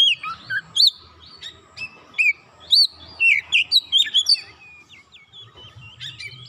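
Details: Oriental magpie-robin singing after being provoked: a run of short loud whistled notes and quick upswept chips, spaced irregularly, with faint scratchy warbles between them.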